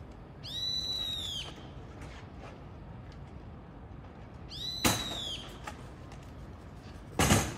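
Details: Brown-eared bulbul gives two loud, shrill, screechy calls about four seconds apart, threatening a crow likely after its chicks near the nest while its mate brings a large caterpillar; sharp knocks and thumps between. May 20, 2022.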